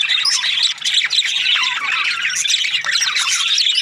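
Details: Chattering budgerigars giving rapid high squeaks, chirps and warbled squawks in an unbroken stream, with only one brief dip in loudness.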